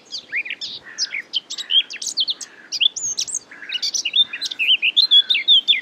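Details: Belgian marsh at Marais d'Harchies, May 2017: a Eurasian Blackcap (Sylvia a. atricapilla) delivers a fast, chattering warble of mixed squeaky notes, ending in a bright, evenly spaced string of loud whistled phrases.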